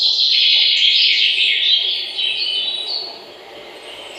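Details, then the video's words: Several birds chirping together in a dense, high twittering chorus that fades slightly toward the end, over steady low background noise. "Birds Chirping Sound"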